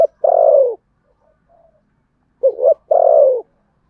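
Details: Contest cooing of a spotted dove, Sấm Thổ style. Two phrases, each a quick broken double note leading into a sustained, gently descending coo, with quiet pauses between.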